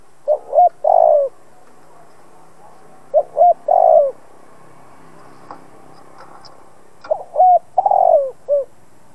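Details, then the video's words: Lure spotted dove kept for trapping, cooing to excite other doves into calling: three phrases of soft hooting notes, each building from quick short coos to a longer slurred, drooping coo, with quiet gaps between phrases. "Chim cu gáy mồi cây gáy gọi kích bổi tập mồi căng lửa. Cu đất gáy kích bổi."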